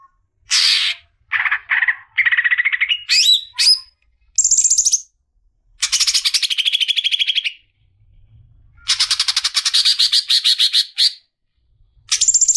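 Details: Greater green leafbird female calling to the male, giving a mix of short whistled and twanging notes, then long harsh buzzy rattles in separate bursts.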